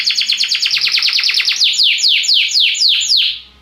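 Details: Song of a Belgian canary, used to stimulate other birds: a fast stream of repeated high downward-slurred notes that gradually slows into broader falling swoops before fading out.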